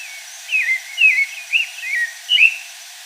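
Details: Pale-breasted thrush singing in the wild: a series of short, clear whistled phrases, each slurring downward, delivered about every half second with brief pauses between them.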